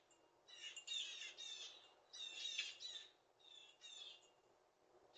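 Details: Blue jays scattering after a second batch of peanuts, giving warning calls as they leave; harsh, rasping screeches in three bursts, each roughly a second long, separated by brief pauses.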